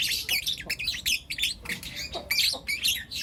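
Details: Morning chatter of four young lutino lovebirds: loud, harsh, rapid chirps and squawks tumbling one after another with hardly a gap.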